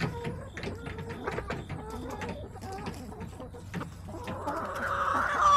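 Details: Backyard hens filmed on September 21, 2024, clucking steadily in a quick, uneven run of short, throaty notes, with a louder, drawn-out squawk rising near the end over a low background hum.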